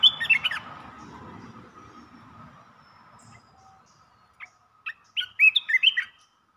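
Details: Red-whiskered bulbul singing rapid 'poen dok' phrases: a loud warbled opening phrase over a background rumble, a quiet gap, then sharp chips building into another bright, looping whistled phrase.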